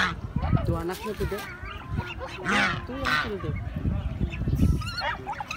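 Geese honk in loud, nasal, overlapping bursts with harsh rising notes, over a steady low background rumble and some human voices.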